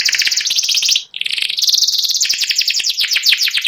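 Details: Fast ngeriwik song of a white panda canary: dense, rapid high trills with a brief pause, then continuous chattering runs of quick repeated notes, some dipping downward.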